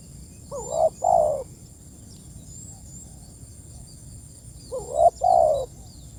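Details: A spotted dove calls its companions with two mellow coo phrases about four seconds apart, each a brief wavering note then a longer falling coo.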